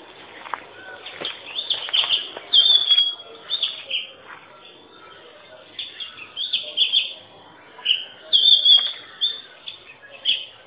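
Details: Varied, melodious song from an Oriental magpie-robin: repeated bouts of rich whistles, slurs and chattering notes, louder toward the middle and end, with short pauses between phrases.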